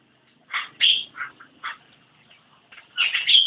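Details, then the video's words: Short phrases from a Javan myna: a few hoarse, buzzy notes and a sharp whistle, a pause, then a loud jumbled chatter at the close. "Burung jalak kebo gacor"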